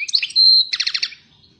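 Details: European goldfinch, 'pyromeni' (fired up), delivering a short phrase: twittering chirps, a steady high whistle, then a rapid pulsing trill of repeated notes.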